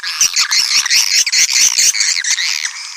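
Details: Swiftlets calling, played to attract more swiftlets: about eight rapid pulsed chirps in under two seconds, then a smoother, continuous squeaky twitter fading slightly at the end.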